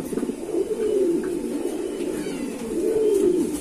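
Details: Two clear, deep, rolling coos from kept pigeons, each swelling and then falling away, separated by a short pause over a quiet background.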